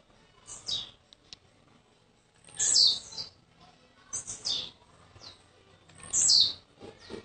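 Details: Blue-black grassquit kept as a cage bird, just arrived from Jacarepaguá, Rio de Janeiro, singing short high buzzy descending bursts, three main phrases roughly every one and a half to two seconds with softer notes between.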